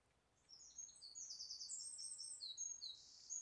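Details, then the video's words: A wren sings from a tree canopy near the Pilley Bridge Nature Reserve pond on 30 July 2012: a loud, very high, rapid song of sharp trills and twittering that runs on without pause, over faint hiss. "Wren Bird Song"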